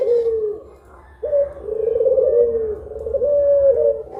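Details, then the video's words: Puter pelung collared dove cooing at midday, one of two birds: a short low coo, a pause, then a long steady drawn-out coo lasting nearly three seconds with a faint wavering. "PUTER PELUNG MASTERING || PANDUAN SUARA 2 BURUNG INI BIKIN MERINDING DI SIANG BOLONG"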